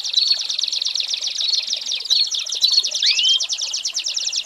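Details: Tutor song of an American singer canary for teaching young birds: a steady fast trill of tightly repeated high notes, with brief sharp whistles and one upward-curving slur near the end.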